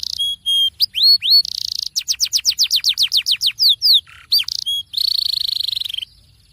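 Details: Caged canary lure song meant to set other canaries singing, with short whistles, a buzzy burst, a quick series of descending slurred notes, one low dip, and a final rolling trill.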